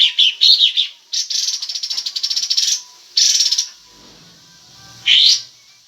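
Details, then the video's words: Kapas tembak singing in breeding condition with tail spread, giving a twittering phrase, a long rapid buzzy rattle, then shorter harsh bursts separated by quiet gaps. "full kapas tembak gacor buka ekor birahi"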